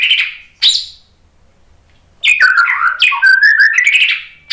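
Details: White-rumped shama, lure song for caged birds: a brief whistle and click, a silent gap, then a rich run of warbled whistles sweeping up and down.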